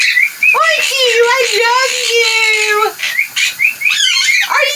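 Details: A pet female quaker (monk) parakeet on her shower perch is being loud, giving a drawn-out nasal squawk and then a burst of short rising chirps.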